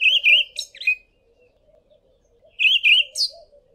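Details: Olive thrush singing from a tall tree in South Africa: two short phrases of clear, slurred whistles ending in higher thin notes, separated by a pause, over a soft low hum.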